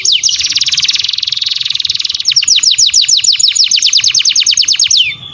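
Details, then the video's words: Canary song recorded as a master for training other canaries: a fast buzzy trill of rapid notes for two seconds, then a slower rolling series of descending sweeps, about six per second, ending on a falling note. "Masteran burung kenari"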